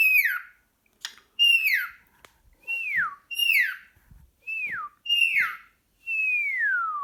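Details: Excited pet cockatiel talking to a sock indoors: a series of clear falling whistles, each sliding down sharply, repeated about every second, ending with a longer drawn-out descending whistle; faint knocks between calls.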